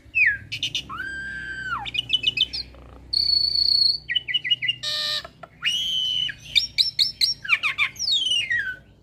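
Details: Chattering 'ocehan' master song from a Jalak Suren x Jalak Nias hybrid starling used to train cage birds: looping whistles, steady high tones, harsh noisy bursts and quick rising-falling notes strung together over a low background hum.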